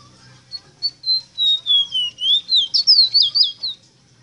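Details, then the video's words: Song of a Ruddy-breasted seedeater (Rosita, Meriño), played to teach captive birds to sing: about a dozen clear whistles that glide down in pitch, then lift into faster, jumpy slurred notes before stopping. "INCREIBLE CANTO PARA ENSEÑAR A CANTAR A TU ROSITA, (Meriño Cantando) SPOROPHILIA MINUTA"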